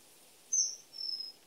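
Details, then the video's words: Two piercing, high-pitched whistles from a common kingfisher: a strong, brief first note followed by a longer, weaker one, with faint background hiss. "The song of the Kingfisher"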